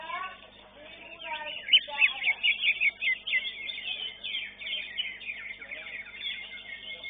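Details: Competition song of a greater green leafbird, fifth-placed entrant at a Srengseng contest: rapid bright whistled notes and slurred chips tumble together amid a continuous background of other birds singing.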